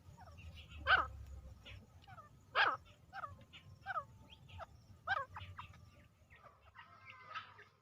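Partridge giving loud, harsh, downward-slurred notes, each strong call a few seconds apart with softer chips between, over a faint low hum.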